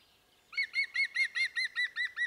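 A European green woodpecker gives a loud, ringing series of laughing notes, evenly spaced and slightly falling.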